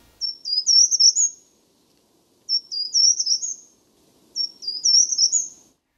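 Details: Short-toed treecreeper, a bird that creeps up tree trunks and is easily overlooked but has a recognisable tune: three brief phrases of thin, very high notes, each a quick run ending in a slurred flourish, about two seconds apart; faint low hum beneath.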